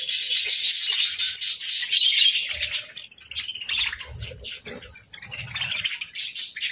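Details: A pet parakeet at its morning breakfast of fruit, seeds and grains gives dense, high, scratchy chirps and squawks almost continuously, with a few soft low knocks beneath. Parakeet.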